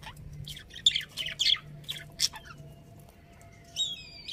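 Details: Breeding pair of pet budgerigars kept at home, giving bursts of sharp, high chirps and scratchy squawks, some clustered quickly together, ending in a few rapid, thin twittering notes.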